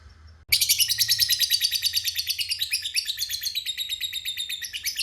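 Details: Ngekek panjang long trill of a kept lovebird used as a provoking lure: after a brief quiet start, a shrill, fast chattering trill bursts in and continues unbroken for over four seconds, slowly easing in volume.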